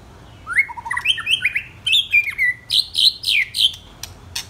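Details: White-rumped shama of ten or twelve months old singing a continuous varied phrase of rising whistles and rapid chattering notes, climbing in pitch toward the end, about three or four notes per second.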